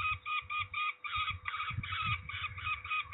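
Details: Ringing of peregrine falcons at Trzebież, Poland, 13 May 2019: scratchy, cackling notes in uneven bursts, briefly pausing near the one-second mark, accompanied by low muffled bumps.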